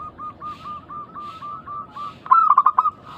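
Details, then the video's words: Local zebra dove lure for prompting other doves to answer: a string of soft, quick rolling coos, then a louder stuttered coo phrase near the end. "Pancingan burung perkutut lokal gacor suara mengundang bunyi langsung nyaut."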